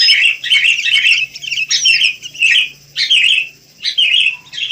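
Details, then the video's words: Wild sooty-headed bulbuls calling busily, with bursts of bubbly, slurred chirps coming roughly once a second and short quiet gaps between them. "Rame Kicau Burung Kutilang"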